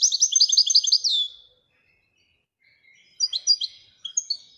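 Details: Goldfinch song opening with a fast, tinkling burst of chirps that ends in a downslurred note, followed by silence and a few scattered high twitters.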